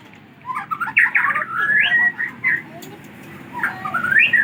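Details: White-rumped shama from Aceh, recorded 24 December 2022, delivering rich warbled and whistled phrases that slide upward, with short pauses between bursts and faint background noise.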